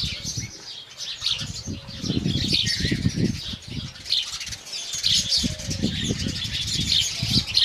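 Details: Morning chirping of Indian house sparrows: rapid, irregular high chirps over a constant rumble of low thuds and fluttering noise.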